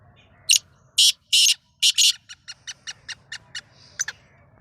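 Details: Black francolin of the Sindhi strain, first try of the season: a few loud, harsh, grating notes, some doubled, then a quicker run of shorter, softer rasping notes about a quarter second apart, over a faint low hum.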